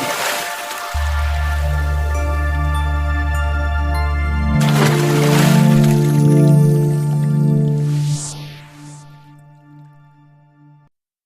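Synthesized music with deep sustained bass tones and layered chords that swell midway and fade out, with no animal calls.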